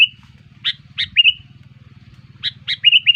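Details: Sooty-headed bulbul lure call for drawing in bulbuls. Quick bright chirps and short slurred whistles in two bursts, ending in a rapid run of three clear notes, with a constant low mechanical hum.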